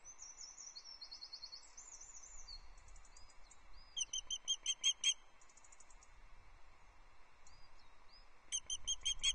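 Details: Female osprey on her nest at Loch Arkaig, 14 July 2024, on a nest livestream camera, calling for fish. Bursts of rapid, repeated high chirps come around the middle and again at the end. Thinner whistles from other birds drift between them.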